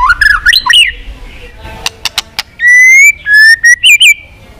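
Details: White-rumped shama singing intense fighting song meant to stir weaker birds and train voice: fast, varied whistled phrases sweeping up and down, then sharp clicks and long clear level whistles with bright upturned flourishes.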